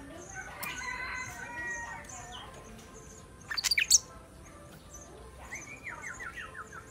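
Sooty-headed bulbul giving bright, bubbly phrases that end in a quick descending series of clear notes, with a loud burst of flapping or rattling midway.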